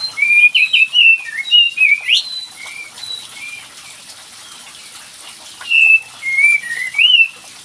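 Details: Kapas tembak bird lure sound for prompting a quiet bird to sing: clear whistled notes, some rising and some slurred, in quick bursts near the start and again near the end, with a pause between them and a steady hiss behind.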